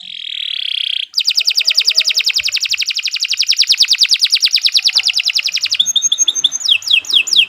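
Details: Kenari 86 canary in long, nonstop song used to tutor beginner songbirds: a steady whistled tone, then a fast buzzy roll of high repeated notes lasting several seconds, ending in sharp downslurred chips.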